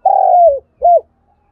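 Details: Spotted dove used as a decoy for wild birds. Only the end of its phrase is heard: a strong, steady coo of about half a second that drops in pitch, then a short clipped arched note after a brief pause.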